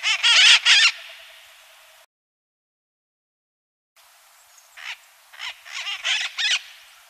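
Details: A small flock of about 15 Near-threatened Red-masked Parakeets by the river front and Iguana Park in Guayaquil, Ecuador, gives harsh, screechy squawks: three loud ones close together, then after a pause a looser run of five or six grating calls.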